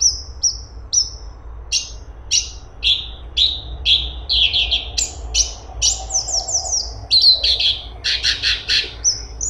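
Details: Straw-headed bulbul (cungkok) delivering lively song: evenly spaced high falling whistles, then louder buzzy chattering notes and clusters of sharp staccato bursts.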